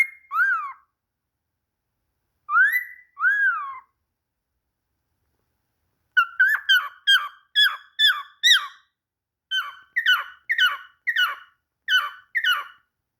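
A cockatiel gives paired, arching whistles, then a quick series of repeated bright chirps.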